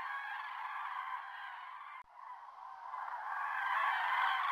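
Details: A large flock of common cranes at the Sotonera Reservoir, 5 February 2023, calls together in a dense, continuous chorus of overlapping trumpeting and bugling notes that briefly dips, then swells louder.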